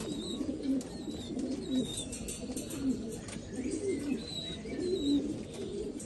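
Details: Black Afghan pigeons from Afghanistan cooing: low, throaty rolling notes repeat about once a second, while faint high thin whistles from other birds sound in the distance.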